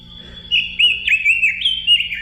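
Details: Robin song: a thin, steady high whistle opens, then runs into a lively series of warbled, slurred whistled phrases that rise and fall over about two seconds. The background is clean.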